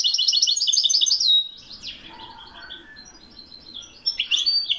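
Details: European goldfinch, Moroccan Widani song, 2021: fast jingling twitters ending in a slurred whistle, then a stretch of faint notes before a brief loud buzzy phrase.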